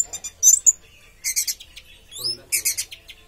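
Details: Orange-headed thrush in teler singing, giving scattered high squeaky chips, buzzy bursts and a rising whistled slur, with faint lower sounds in the background.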